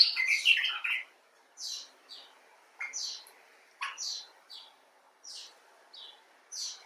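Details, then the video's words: Common bulbul (Pycnonotus barbatus) opening with a loud burst of gurgling chatter, followed by sparse short high chips repeated roughly every half second to second. "Bulbul Talk: The Common Bulbul (Pycnonotus barbatus)"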